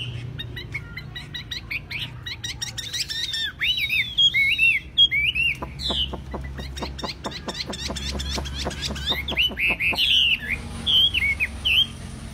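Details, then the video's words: A tame captive Chinese hwamei, singing loud, varied whistled phrases that swoop up and down, broken by a burst of rapid dry clicks, over a low background hum; said to sing wherever it is placed. "Chim thuần 200% Đặt bàn sách tay đặt đâu cũng hót"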